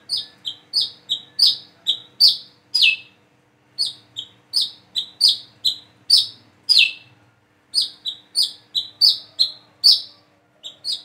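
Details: Plain-throated sunbird learning to sing: rapid bursts of crisp, high chirps, six to eight per run, separated by brief pauses, over a faint constant hum.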